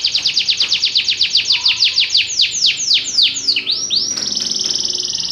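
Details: Belgian canary pouring out a quick series of downward-sweeping whistled notes that gradually slow and lengthen, then switching to a fast, steady high trill.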